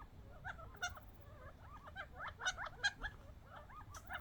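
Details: Wild young quail from the desert fighting over scattered bird seed; a busy flock chatter of short hooked and curling chirps, several birds overlapping, with a few louder sharp clicks standing out over low background rumble.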